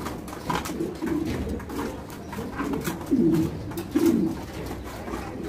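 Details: Fancy pigeons of domestic breeds kept and bred in a cage at an Indian pigeon farm give low, throaty coos in uneven bursts, two louder swelling coos near the end, over clattering and room noise.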